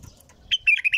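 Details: Bulbul in nonstop song, a quick run of clear, warbling whistled notes rising and falling after a brief quiet start.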